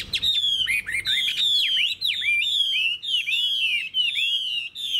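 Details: Wild-caught adult Chinese hwamei with a fig-leaf tail repeats a loud, high whistle that drops into a sharp downslur, roughly twice per second, in a steady ringing series.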